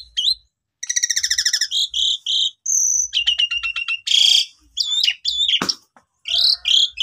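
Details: Asian pied starling lure song meant to spur silent starlings into long, energetic singing. A varied run of rapid stuttering notes, buzzy rattles, a high piping whistle and harsh squeals in quick succession.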